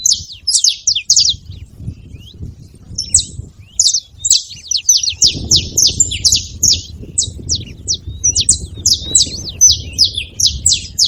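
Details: Flock of wild saffron finches at a feeding place, loud and busy: dense overlapping high sharp chirps throughout, several birds at once, with rising low background rumble in the second half.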